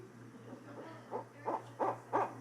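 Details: A Barred Owl, a woodland species, gives a quick run of about six deep, hollow hoots that grow louder toward the end, over a steady low electrical hum.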